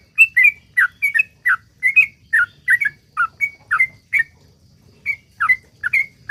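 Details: Sooty-headed bulbul song, the long 'ropel' series used as a lure for other bulbuls: rapid whistled two-note phrases, then a short pause before the run resumes.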